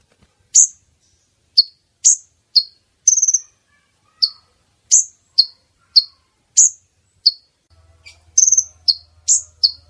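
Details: Female brown-throated sunbird (konin) call used as a lure to draw males close for net trapping; sharp, very high chips and short squeaky notes at irregular intervals, about fifteen in ten seconds, faint low hum near the end.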